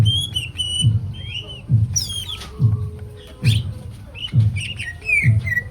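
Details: Greater green leafbird (cucak ijo), singing steadily with a full repertoire: bright whistled and chirped phrases, some sliding and downslurred. A deep thumping beat repeats about once per second underneath.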